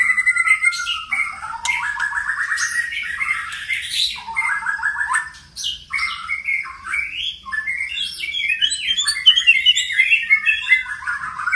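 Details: White-rumped shama in full, varied song of many voices: a continuous stream of bright whistled phrases, chattering runs and sharp high notes tumbling in quick succession, with little pause throughout.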